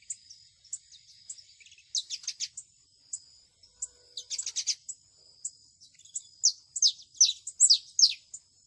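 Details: Canary singing in nature, thin high chirps interspersed with rapid bursts of bright descending whistled notes, the bursts growing louder and denser toward the close.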